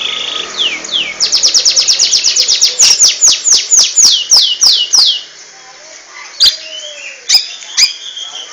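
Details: Oriental magpie-robin (kacer) kept for song contests, delivering a ngentrok-style burst: a fast run of about fifteen high, steeply falling whistled sweeps that slows toward the end, followed by a pause and a few sharp, isolated chips.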